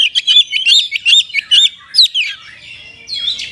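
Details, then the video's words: Brief burst of oriental magpie-robin isian in kapas tembak style: six or seven bright looping whistles in quick succession, fading into softer scratchy notes. "KACER RASA KAPAS TEMBAK ORIGINAL SOUND"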